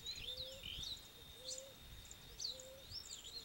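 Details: ['Male ruddy ground dove marking territory while the female sits on eggs: three soft, low, slightly rising coos spaced about a second apart, partly masked by louder high twittering and whistling birds nearby.']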